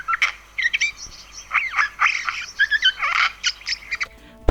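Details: Eurasian Jay, a mimic of various creatures' voices, producing a varied medley of squeaky, rasping and chattering notes in uneven bursts, ending with a sharp click.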